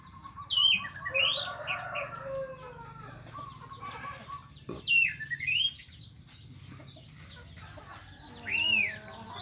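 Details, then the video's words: Orange-headed thrush singing in the morning, ngeplong style, to stir other thrushes into song; loud, clear whistled notes swooping down and up in separate bursts a few seconds apart, with softer warbling between. "Anis merah Ngeplong di pagi hari untuk memancing Anis macet jadi teler"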